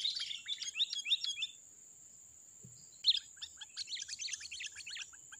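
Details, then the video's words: Loud, lively wild sooty-headed bulbul song used to lure birds. Quick chirped notes are followed by a pause, then busy, overlapping twittering with a faint thump in the background. "KUTILANG LIAR || Suaranya Gacor ngeplong Abis Bikin Pikat Melongok Melihatnya"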